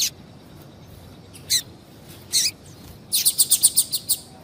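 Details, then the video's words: Double-collared seedeater female calling to stimulate a male: scattered harsh high chips, then a fast burst of about seven short ticking notes near the end. "fêmea de Coleiro Chamando Muito para Esquentar Coleiro"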